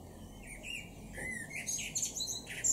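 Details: A male blackbird in a garden in Norden, East Frisia, northwest Germany, in June 2023, gives a brief phrase: mellow fluted notes, then a thin, high twittering flourish, over faint background hiss.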